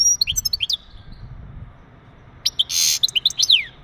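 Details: Mating chirps of a male European goldfinch, used to stimulate a female for breeding: clusters of quick, tinkling twittered notes at the start, then after a pause a harsh hissing burst mixed with more twitters and a falling slur.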